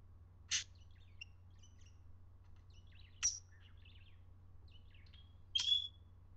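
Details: An aroused parakeet utters three brief, piercing high chirps spaced irregularly over six seconds, with soft scattered twitters between them and a constant low background hum.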